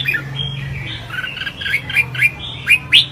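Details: Red-whiskered bulbul during competitive singing: a rambling series of soft warbled notes building into sharper, upslurred chirps near the end, with a steady low hum underneath.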